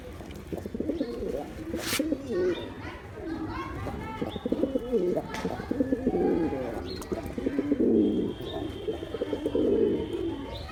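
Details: Male pigeons cooing, low throaty rolling coos rising and falling in overlapping bursts, several birds calling at once, with occasional wing flaps and faint human voices in the background.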